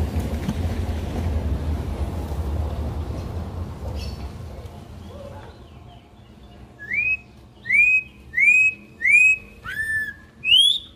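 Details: Campo troupial singing in the wild style: after several seconds of steady background noise, seven loud rising and falling whistles follow one another at roughly even intervals.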